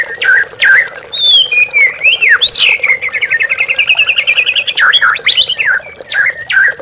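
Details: White-rumped shama singing on a lure track for training captive birds to face rivals. Loud chips lead into swooping whistles and a long, fast, regular trill, then more sharp notes. Trickling water sounds throughout.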